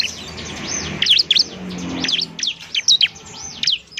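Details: Bar-winged Prinia (ciblek) singing semi-gacor as training material for other birds; bright, high chirps and arching whistled notes in uneven clusters over a soft background hiss.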